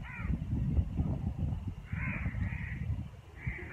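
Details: Birds around neem and moringa trees at the start of winter, with a few coarse caws: one at the start, then a pair, then one more, over deep background rumble.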